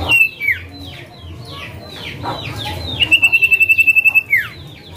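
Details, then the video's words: Male common iora giving its 'calling names' call, a sign of a male: a string of quick downslurred whistles, then a long, level, rapidly pulsed whistled trill ending in a falling note, over low background hum. "Cipoh Manggil Nama"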